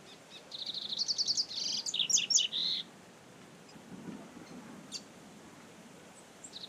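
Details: Wild double-collared seedeater recorded live in nature: a quick burst of bright chirped and trilled notes for two seconds, followed by quieter scattered calls over steady rustling background noise.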